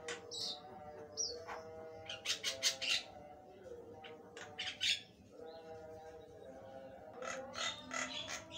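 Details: Lively Javan myna song of rapid grating rasps in dense bursts, with whistled notes early on and a pause midway, set over a continuous steady hum.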